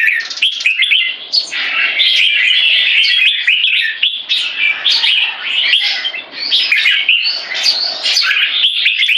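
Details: Captive red-whiskered bulbul, a young bird with early cheek spotting, posturing in a C-shaped aggression stance. It delivers continuous, lively warbling with rapid chirps stacked closely together throughout.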